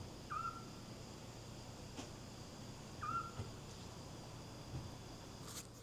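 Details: One of a pair of Eurasian Scops Owls calling right by a villa at Cala Llonga, Ibiza, gives two short, clear whistled notes about three seconds apart, each a plaintive 'tyoo', over a faint low hum.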